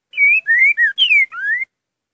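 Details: "Curricutil" song type of a green-winged saltator: one clean phrase of five loud whistled notes, level and slurred, dipping then sweeping upward at the close, with no other sounds.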